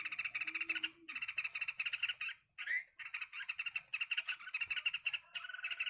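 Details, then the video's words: Fighting red-whiskered bulbuls keep up an almost unbroken, dense, rattling chatter made of quick harsh pulses, with one brief pause and a single slurred note. "cho chào mào đá nhau"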